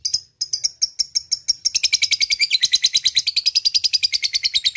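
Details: Ngekek of a lovebird challenging a rival: a few separate sharp chirps quicken after a second into a fast, rolling, high chatter that continues to the end.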